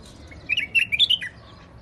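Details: Rooftop-garden white-eared bulbul from Iraq: a short, liquid phrase of five or six chattering whistles, climbing slightly in pitch before a final falling note.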